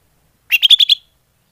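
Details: Short lure call of a greater green leafbird: five fast, clipped chattering notes slightly rising in pitch, lasting half a second.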